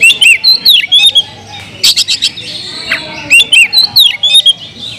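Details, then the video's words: Loud kacer, or Oriental magpie-robin, song meant to rattle rival magpie-robins. Rapid series of clear whistles and slurred chirps, a dense phrase, a short gap, then the phrase repeated. "kacer gacor‼️suara kicau burung Kacer kemrayak biar kacer lain konslet"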